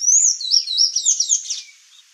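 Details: Sayaca tanager, Thraupis sayaca, giving a high, squeaky, rapidly warbled song of tumbling slurred notes for about a second and a half, fading at the end; no other sounds.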